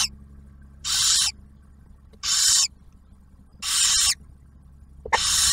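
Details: In a barn owl nest box at Ottawa National Wildlife Refuge, the male delivers a meal and the female shares it with the newly hatched owlet; four harsh, sizzling hisses about every 1.4 seconds over a low background hum.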